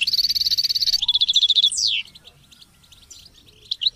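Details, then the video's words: European goldfinch giving a dense buzzy trill, then a faster rattling run and a steep falling slur, followed by soft scattered twitters. "Memorizing Training and Motivating Goldfinches and Chicks Chirps"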